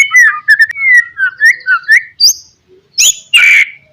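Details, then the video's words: White-rumped shama lure song to provoke opponents: a run of fluty, rising and falling whistles, then a pause and two loud, harsh, high notes. "SUARA BURUNG MURAI BATU, PANCINGAN MURAI BATU PASTOL NGOTOT MEMBANGKITKAN EMOSI LAWAN"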